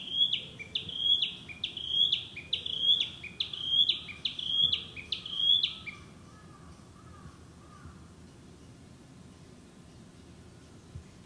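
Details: Narcissus flycatcher, a summer bird that breeds here, singing sweetly in the woods: a high, bright two-part phrase repeated eight times at a steady pace of under a second each, then stopping, with faint lower warbles and a quiet background.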